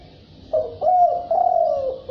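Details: Low cooing of a spotted dove in thúc bổi style: a short coo, then two longer drawn-out hollow notes that dip slightly in pitch, with little background noise.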